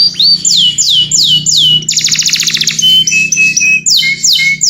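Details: A canary calls its companion with clear, evenly spaced downslurred whistles, a dense buzzy trill midway, then thin steady tones and more falling notes.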